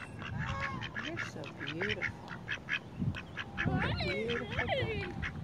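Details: Three ducks quack in harsh, nasal bursts, overlapping and rapid, with a human voice and some music in the background.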